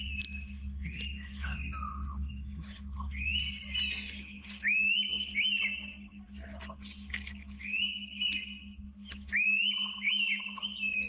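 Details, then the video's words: Rising, quavering whistles from an Indian pitta deep in tropical forest, several phrases over eleven seconds, with some fainter clicks and a low rumble in the first half. "The Rare Sound of the Indian Pitta in the Wild"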